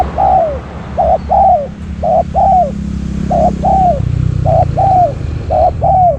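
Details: Decoy spotted dove calling in wild doves. Six quick coo phrases follow one another about once a second, each a clipped note and then a longer note sagging downward, over a steady low hum.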